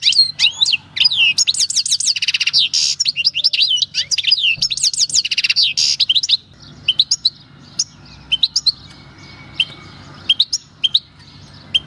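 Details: European goldfinch, a wild-caught bird taken in 2018 at El Paso, singing its natural field song: a fast, dense run of twittering, buzzy and tinkling notes for six seconds, then sparser scattered chirps.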